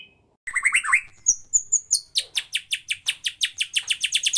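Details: White-rumped shama song of the 'cess plengg' type, played to provoke rival shamas into singing. A brief quiet note, then a few slurred whistles, then a long run of about twenty rapid, sharp, high descending notes.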